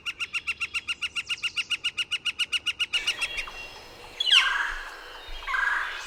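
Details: Northern flicker's quick run of even, repeated notes for about three seconds, then stopping; a sharp, downslurred call and rustling follow.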